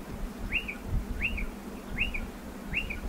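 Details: Striated pardalote near its burrow in a dry stone wall, calling at a brisk pace: four arched, upslurred whistles with a quick falling tail, each about three quarters of a second apart, over low rumble.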